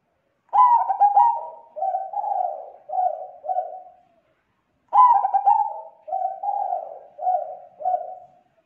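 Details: Zebra dove lure call meant to draw in other zebra doves: two phrases, each opening with quick stuttering notes and trailing into three or four soft rolling coos, about four seconds apart.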